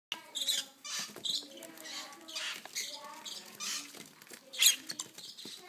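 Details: Baby lovebirds being hand-fed give raspy, squeaky begging chirps in quick uneven bursts, with soft rustling and handling noises between.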